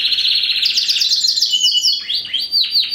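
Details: A 2015 first-generation Spanish Timbrado × wild canary hybrid, bred in captivity, ring ST16. It delivers a loud, fast, metallic trill that slides gradually downward, followed by three or four looping whistled notes that rise and fall in quick succession.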